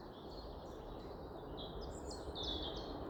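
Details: Early-morning birdsong on a walk at RSPB The Lodge, Sandy: thin, high twittering phrases and quick chirps, growing busier toward the end, over a steady low rumble of background noise.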